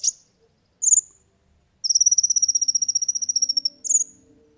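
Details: Olive-backed sunbird singing, a recording used for training and luring birds; short high chirps, then a long rapid trill of evenly spaced ticking notes lasting about two seconds, ending with another chirp.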